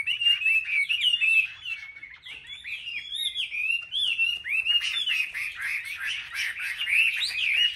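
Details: Competitive singing from a caged Chinese hwamei among chosen market birds in Vietnam, a rich run of slurred whistles that rise and fall, then quicken into sharp clipped notes toward the end.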